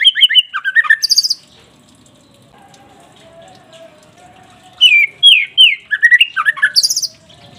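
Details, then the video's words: White-rumped shama singing in captivity, played to provoke a caged bird: fast whistled and chattering phrases with high shrill notes, a quiet gap with a faint low hum, then another burst of rich varied whistles. "Pancingan murai batu pastol biar cepat bunyi gacor emosi"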